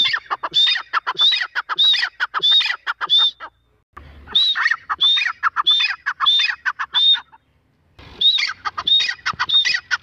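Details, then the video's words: Female grey francolin (teetar) calling: loud harsh repeated phrases, each with a clear whistled rising-falling note near the top, given in rapid bursts of about five phrases separated by short pauses. "teetar ki awaaz || GREY francolin voice || Grey francolin female voice"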